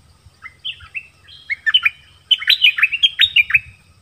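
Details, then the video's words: Nok dok taeng in a 'double song' duel against wild birds, Thailand: crisp whistled notes that swoop down, first spaced out, then speeding into a loud, tightly packed flourish. "เสียงนกดอกแตงEp.24 ดวลเพลงเบิ้ลกับนกป่า"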